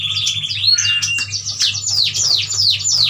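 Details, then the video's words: A yuhina from Kalimantan, bought from a wild-caught batch, sings a busy run of high, thin chirps and descending twittered notes, several per second, over a faint low hum. "Burung yuhina gacor"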